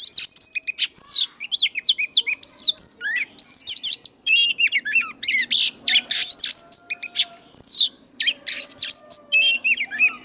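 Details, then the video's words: Oriental magpie-robin singing a long 'già rừng' wild-style fighting song to stir other birds into song; continuous rich sequence of whistled sweeps, trills and harsh chatters with barely any pause. "Tiếng choè than già rừng kích hót cực căng"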